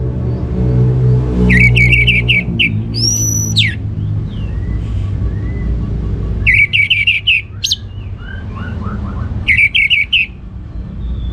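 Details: Orange-headed thrush with ngeplong gacor song. Three bursts of fast, evenly repeated ringing notes are mixed with whistled slurs and soft chirps between them, over a deep rumble.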